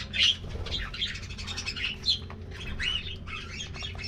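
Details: Morning treat time for an aviary budgerigar colony: rapid sequence of bright chirps and twittering squeaks, several birds overlapping, with faint low background hum.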